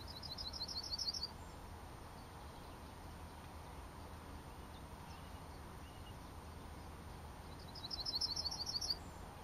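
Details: Yellowhammer, 22 June 2012: two bursts of song, each a quick, high run of repeated chipping notes lasting about a second, over a steady low rumble of background noise.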